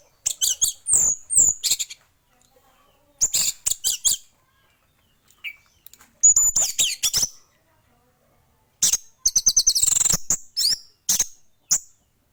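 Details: Male orange-headed thrush singing vigorously and nonstop: bursts of rapid, high, sharp chattering and whistled notes in short phrases, separated by brief pauses of silence.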